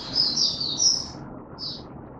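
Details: Male white-eye in form training, 31 December 2021; a thin, very high twittering run and a short later note, rather faint against a constant broad background hiss.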